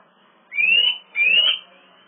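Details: A Eurasian nuthatch calling to attract a female, 27 March 2018 in the afternoon, by a swift nest box beside a loggia where it tried to nest before swifts drove it off. Two loud, clear, rising whistles come in quick succession, each about half a second long.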